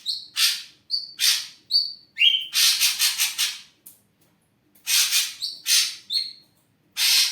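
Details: Ashy drongo, a kept bird, in energetic song: short level whistles alternating with loud harsh buzzy bursts, including a stretch of rapidly repeated rasping notes, delivered in quick succession.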